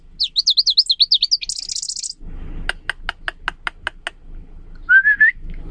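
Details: Leaf warbler pouring out a clear, rippling song likened to running water: fast looping high whistles rising into a dense trill, then a row of sharp ticks and a brief lower buzzy note.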